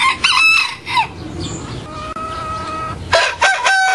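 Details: Young rooster learning to crow from an older, bigger rooster: two loud harmonic crows, one opening and one closing the stretch, each falling then rising, with a quiet gap between.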